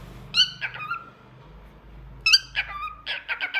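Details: Pet cockatiel, described as talkative and singing, giving harmonic whistled calls that fall in pitch, one pair near the start and a longer burst of chirps near the end, in a quiet indoor room.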